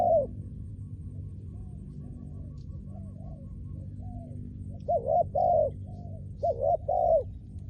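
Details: Trained decoy spotted dove used for ground decoy trapping, giving soft cooing phrases. Faint, low coos come first, then louder paired, arched coos near the end, over a steady low rumble.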